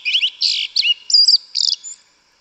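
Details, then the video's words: Yellow-legged thrush, wild in the forest, singing its forest-style 'canto mateiro': a rapid run of high, varied, twittering and slurred phrases, several short bursts packed into two seconds, with no other clear sounds. "Sabiá Una cantando no mato. Lindo canto mateiro da sabiá preta"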